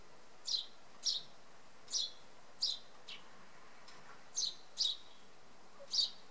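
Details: A Eurasian tree sparrow on a hawthorn in Samara Oblast, Russia, in November 2018 gives about eight short, bright chirps at an uneven pace, roughly one every half second to a second, over a faint low background hum.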